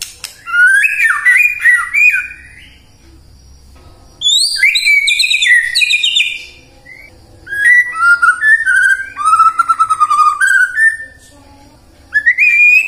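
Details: White-rumped shama used as a prompt for singing at morning, midday and afternoon: three bursts of loud, rich whistled song with rising slurs, trills and sharp high notes, separated by short pauses.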